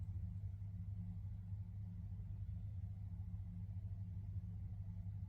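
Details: Steady low rumble of a running vehicle engine, with no animal voices heard.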